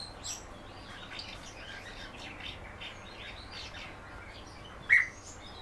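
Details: Common house martin in keeping twitters softly, a string of thin, rapid high chirps and little rolled notes, interrupted near the end by one sharp loud click, over a quiet hum.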